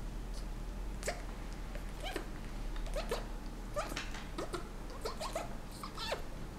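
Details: Pet Senegal parrot indoors in breeding season, courting its owner's hand: a steady run of soft clicks and short rising and falling squeaks, spaced roughly every half second, over a low room hum.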